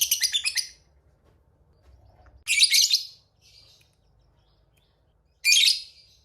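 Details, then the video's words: Fighter lovebird in long-chattering style, used as a lure to provoke rivals into answering: three bursts of shrill, harsh, rapid chatter about three seconds apart, with a softer scratchy note between them. "Jago Pancingan Emosi Lawan suara Burung Lovebird Fighter Ngekek Panjang"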